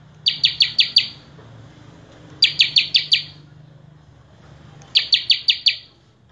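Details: Gacor full isian song of a common tailorbird (prenjak kepala merah): three spaced series of five piercing, rapidly repeated high notes, with a soft background hum between them.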